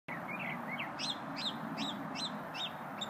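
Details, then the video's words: Small unidentified songbird singing during a lunch break: a series of quick, bright rising-and-falling chirped notes, about two to three per second, over steady broadband background noise. "Happy bird"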